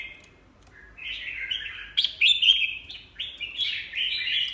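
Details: Red-whiskered bulbul kept in a cage, its beak molting, delivers rich warbling phrases after a quiet start, loud slurred notes rising and falling in quick succession.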